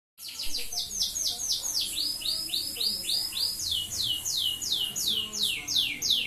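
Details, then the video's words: Canary singing at night, a fast run of repeated high sweeping notes, about three or four per second, each sliding downward, in a continuous rolling trill with faint low background noise. "Burung Kenari ngedur walaupun malam hari"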